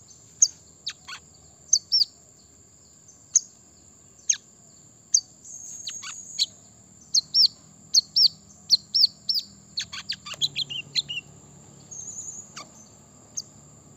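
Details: Brown-throated sunbird song used to provoke wild rivals: a lively run of high chirps and downslurred notes that speeds into a dense flurry midway, then thins out. A continuous high-pitched whine sits underneath.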